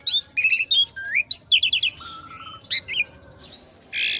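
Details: Asian pied starling song serving as master material for young birds: chattering whistled notes, rising slurs, a flat low whistle, and a harsh buzzy call at the close.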